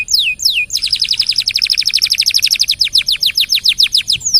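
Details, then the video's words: Training song of a canary: two drooping whistles, then a long fast trill of crisp repeated notes that slows into broader downward sweeps, ending on one more falling whistle. "KENARI SUPER GACOR DURASI NGEDUR PANJANG....COCOK BUAT MASTERAN SEMUA BURUNG"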